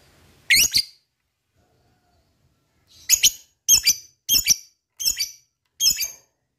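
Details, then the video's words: Lovebird repeating short, harsh, high double chirps, one then a run of five at roughly half-second intervals, in a recording meant to provoke other lovebirds to sing. "Lovebird mana yang gak bakal nyaut bila mendengarkan ini,gacor rajin ngekek panjang"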